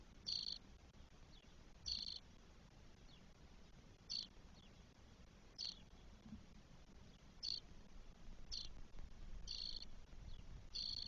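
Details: Nest of spotless starlings in Spain, with four chicks on day 12, recorded 1 June 2022. Eight scratchy, hissing bursts come at uneven intervals, some spaced a second apart and others several seconds, over a faint low rumble.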